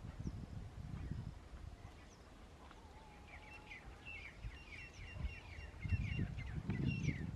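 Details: Grey francolin (teetar), two groups fighting on a farm to defend their territories: a rapid series of short, sharp high chirping notes in loose runs, with a steady faint tone earlier and low rumbling background noise throughout.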